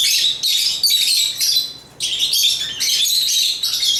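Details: Dense, shrill chatter from African lovebirds: rapid scratchy high chirps, pausing for about half a second midway, then resuming as a steady squeaky twitter.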